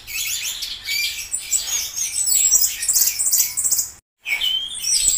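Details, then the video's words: Orange-headed thrush singing a dense, fast warbling stream of high whistles, trills and mimicked-sounding notes, with a sudden silent break near the fourth second before the song resumes. "BURUNG ANIS TELER"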